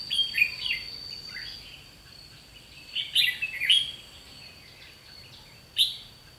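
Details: Red-whiskered bulbul decoy singing a challenge during trapping: bursts of quick, chirpy warbled notes, a cluster near the start, another around three seconds in, and a sharp single note near the end, over a constant high whine.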